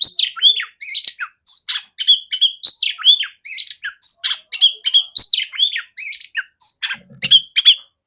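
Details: Female oriental magpie-robin, kept as a trainer bird for other magpie-robins, singing a long lively string of sharp harsh notes and hooked whistles, repeated rapidly with tiny gaps throughout.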